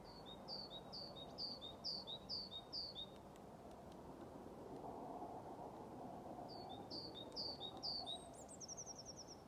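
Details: Great tit singing vigorously on 21 February in the grounds of a retirement home in Haga, with a blue tit joining in at times: a clear two-note phrase repeated, then a higher trilling phrase near the end.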